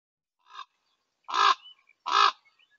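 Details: Two common ravens standing at a male eagle owl's daytime roost and harassing it, giving three harsh, croaking calls, a short faint one then two loud, drawn-out caws about a second apart, with a few small squeaks between.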